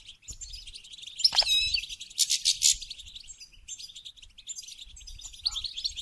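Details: Goldfinch singing to stimulate mating: a rapid, bright twittering of high chirps and trills with buzzy bursts in the middle, several overlapping voices suggesting more than one bird.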